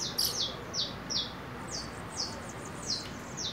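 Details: Saffron finch, a 4-month-old juvenile going into its first nest moult and keen to sing, gives a series of short, sharp chirps that slide downward, spaced irregularly about every half second over a quiet background.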